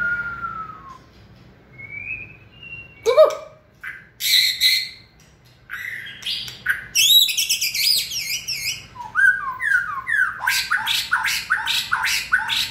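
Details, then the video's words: White-rumped shama in its fiery 'lửa' breeding-peak state, 2020 season, mixing clear rising whistles with harsh chattering bursts and rapid buzzy trills, building into a dense, varied run of notes toward the end. "Cọp Biển rực lửa (shama bird)"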